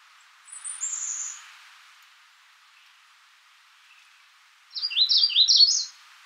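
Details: Faint high whistles at the start, then a clear Magnolia warbler phrase near the end: several fast, sweet down-slurred notes rising slightly in a short burst.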